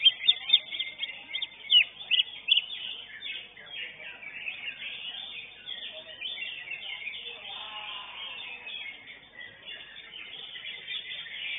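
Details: A greater green leafbird, third-place winner at a songbird contest, sings a rich, fast run of high chirps, whistles and mimicked phrases, with busy chatter from other birds behind it.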